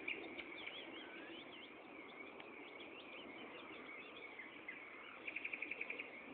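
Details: Common nightingale singing at Gaasperzoom on 16 May 2012 at 15:30, a continuous rich warble of looping whistled phrases, ending in a quick run of repeated clipped notes, with steady background hiss.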